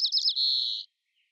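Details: White-crowned sparrow song fragment: three quick, slurred high notes, then a long, steady, clear whistle held about half a second; fainter American robin sounds are present in the recording.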